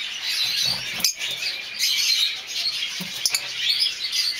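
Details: Masked lovebirds in mauve, olive, cobalt and dark-factor violet colours keep up a constant shrill twitter of overlapping high chirps, broken by a few soft thumps and rustles.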